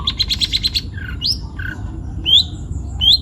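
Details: Young forest long-tailed shrike from Pati, Central Java: quick stuttering run of bright notes, then scattered rising squeaky calls and short low whistles, over a steady background hum.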